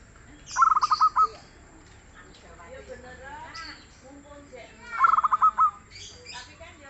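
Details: Local perkutut (zebra dove), praised as soft and eager in song, gives two short bursts of quick cooing notes several seconds apart, with faint background voices and other noises between them.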